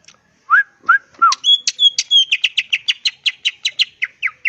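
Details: Song of a wild greater green leafbird used to provoke rivals into answering: three rising whistled slurs, then a quick, steady series of bright chirping notes, roughly three per second.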